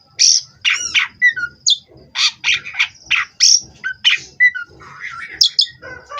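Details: Oriental magpie-robin, bred in captivity in Indonesia, singing a fast run of harsh, scratchy notes roughly once a second, mixed with whistled slurs and chatter, a faint low hum beneath.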